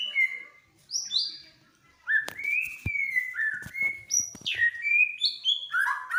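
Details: Singing white-rumped shama, a song meant to set other birds singing: clear, fluty whistled phrases that swoop down and level off, varied notes repeating in short runs, with sharp clicking taps heard throughout.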